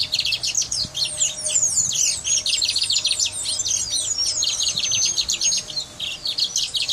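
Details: Brown mustache finch from Guyana in full song: a continuous, rapid, high-pitched warble of chattering and sliding notes that runs almost unbroken for seven seconds, loud and close.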